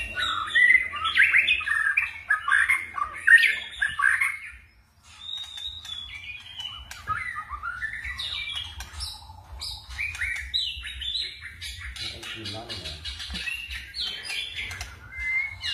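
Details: White-rumped shama switching between song phrases: dense loud warbling whistles for several seconds, a brief pause, then quieter scattered chips, sweeps and whistled fragments over a low hum.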